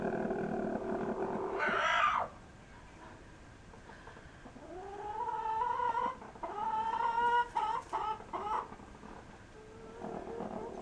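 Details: Pet rooster behaving strangely while nesting beside a hen, apparently guarding her, making odd dinosaur-like sounds: a harsh burst, then drawn-out rising whining notes and broken squawks over several seconds, with the hen's typical noises in the background.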